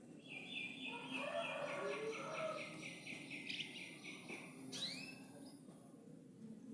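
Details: Canary singing in the loper style: a fast, even trill of repeated bright notes lasting several seconds, then a few sharp upward-sweeping notes, over steady background hiss.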